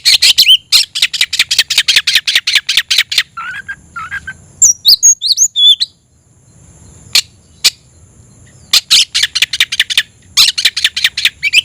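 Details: Kept Oriental magpie-robin: rapid runs of harsh, scratchy notes repeated several times a second, broken by a short group of twisting whistles, then more harsh rattling series after a silent gap.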